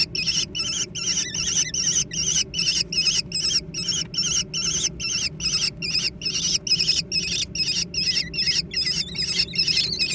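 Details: Young American kestrels squabbling noisily over food: harsh, wavering, high-pitched calls repeated about two and a half times per second without pause for the whole stretch, several voices overlapping, with a low steady hum underneath.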